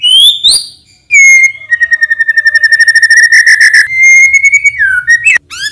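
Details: White-rumped shama singing in the morning as a lure for reluctant shamas: a high rising whistle, then a long buzzy trill held at one pitch, a smooth falling whistle and quick chirps.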